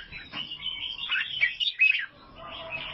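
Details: Vietnamese albino sooty-headed bulbul delivering a brief run of slurred warbling notes that swell to two sharp peaks before fading into softer twitter.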